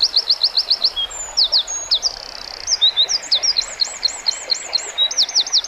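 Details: Small brownish wren delivering a loud, intricate song of fast repeated high notes, a rattling series, sharp chips, then looping rolled trills, continuous throughout.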